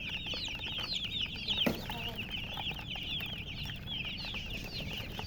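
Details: Baby chicks chirp in a thick, high-pitched chorus of quick falling peeps, broken once by a sharp knock or click early on, with low steady background noise.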